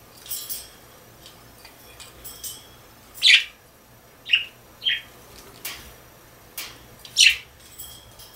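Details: Domestic budgerigar making brief, high, sharp chirps and clipped squawks, scattered singly and in a quick pair, separated by quiet stretches.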